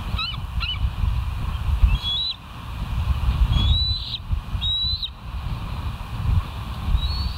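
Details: West End bald eagle on a live camera, 29 September 2023 at 07:05; scattered short, piping whistles, some rising, repeated irregularly over several seconds against a constant low background roar.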